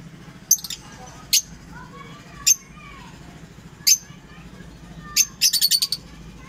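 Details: Paired lovebirds giving shrill, clipped chirps spaced a second or so apart, ending in a rapid stutter of about six high, harsh notes. Low background hum throughout.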